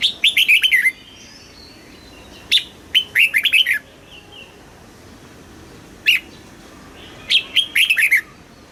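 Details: Red-whiskered bulbul from Thailand singing in the southern master style, used to excite caged birds and teach young birds. Three bright whistled phrases of quick, falling, warbled notes come with silent gaps between them.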